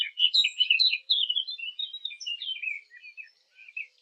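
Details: A fig bird sound used for hunting. A rapid, jumbled warble of chattering notes and thin whistles starts loud, then fades into softer, scattered phrases over four seconds.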